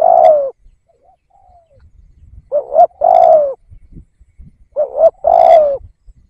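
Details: Spotted dove used as a decoy bird to draw in wild doves, giving repeated mellow coo phrases about two seconds apart. Each phrase is a quick double note and then a drawn-out coo that sinks at the end.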